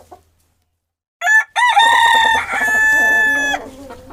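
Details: Farm chicken giving a loud, drawn-out crow. A short opening note after silence rises into a long, rich, steady cry lasting about two seconds, then fades out.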